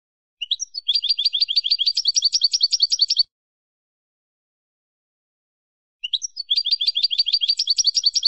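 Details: Two matching phrases of European goldfinch 'campero' song, recorded to educate caged birds: each opens with a rising chip, then runs into about two and a half seconds of quick, high, chattering trills, separated by three seconds of silence.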